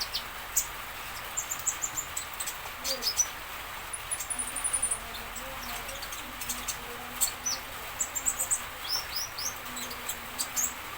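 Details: Common iora singing to draw answers from other birds: rapid bursts of high, thin twittering notes and short whistles, repeated in clusters across the clip, with faint lower murmuring sounds beneath.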